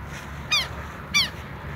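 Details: Two loud, harsh calls, each a ringing harmonic note bending downward, half a second apart. A pair of Southern lapwings is giving them at its nest, bold and calling persistently, with low steady background noise.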